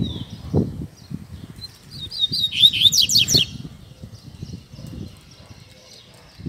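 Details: Tui Tui Zel Zel style tutor song of a Double-collared seedeater for teaching young birds: softer chips and short whistles, then a single vivid run of quick, descending, ringing notes in the middle. Low irregular thumps sound throughout.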